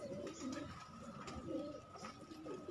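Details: Kept pigeons from a pigeon-keeping hobby loft, cooing in soft, low, throaty phrases repeated roughly once a second, with faint background hum and light indoor ambience.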